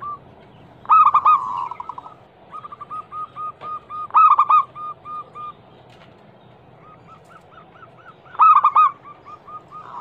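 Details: A local zebra dove, a female calling a male, recorded as bait to make silent doves sing: three emphatic staccato clusters, each trailed by a series of fainter, even cooing notes.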